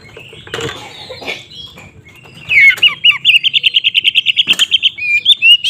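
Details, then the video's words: Fight-lure song of a White-rumped shama: after scratchy noisy sounds, a steady rapid run of bright repeated whistled notes, roughly four to five per second, ending with a rising whistle. "suara BURUNG Kacer GACOR ngeplong KONSLET Tarung ini Paling Ampuh untuk PANCINGAN KACER agar EMOSI"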